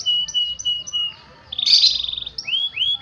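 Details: Faba SF canary singing briefly. A few high piping whistles lead into a rapid rattling trill, followed by two swooping upslurred notes. Faint low background murmur.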